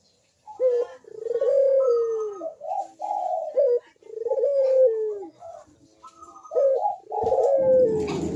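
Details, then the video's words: Barbary dove cooing, used as a lure to get lazy doves to start calling: long, low, hollow coos that slide gently downward, repeated in a steady series, with faint higher chirps from other birds in the background. "PANCINGAN BUNYI PUTER PALING AMPUH UNTUK BURUNG PUTER YANG MALAS BUNYI"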